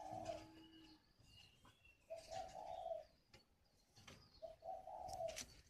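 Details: A mature spotted dove from the wild, kept as a decoy in Hanoi province, repeats its mellow coo phrase three times over several seconds. Each phrase runs short-long-short, with clicks and faint chirps between them.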